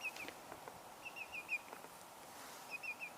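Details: Greater Yellowlegs (Tringa melanoleuca) flying overhead on a wildlife drive gives flight calls: ringing, slightly falling whistled notes in quick bursts of three or four, repeated about every second, over a low outdoor hiss.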